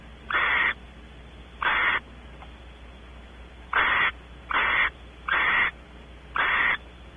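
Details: Barn owl pair at a nest cavity, Audubon Starr Ranch, California, the male exploring and the female expecting mating; six rasping hisses, two early ones followed by a long pause, then four in quicker succession.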